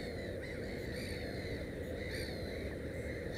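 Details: Black-headed gull at its nest with three chicks, a few harsh, slightly descending calls spaced about a second apart, set against a heavy continuous low-pitched rumble.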